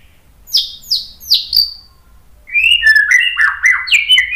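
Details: White-rumped shama in agitated song meant to provoke rivals: three or four downslurred high whistles, then a fast varied run of stepping, chirping notes.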